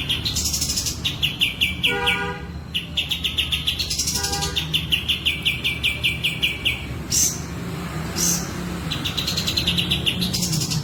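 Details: Kapas tembak in breeding condition with tail spread, giving sustained quick chirping runs with a few lower stacked notes and occasional buzzy bursts.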